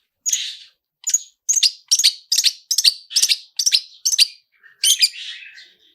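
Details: Cendet, or long-tailed shrike, in a "toet toet" linked sequence with rich filling used as a singing trigger: a quick run of about ten clipped, bright notes, each with a short buzzy tail, ending in a harsher rasp.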